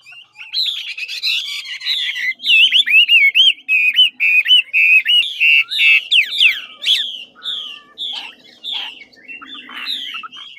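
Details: Chinese hwamei (ngũ trường type) from Lạng Sơn, a large bird with a supple, fluent song; loud varied whistled phrases of rapid slurred notes, trills and upswept and downslurred figures, delivered in quick succession with brief pauses.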